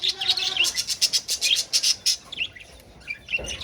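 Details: Caged budgerigars kept together with a rabbit: dense, rapid chatter of buzzy, warbled high chirps for about two seconds, then quieter scattered tweets and a brief rustle near the end.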